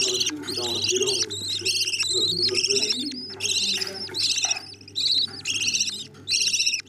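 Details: Budgerigar chicks being fed by their parents give dense, buzzy, high-pitched chattering bursts, repeated almost without pause, some short notes sliding upward, over a faint low hum.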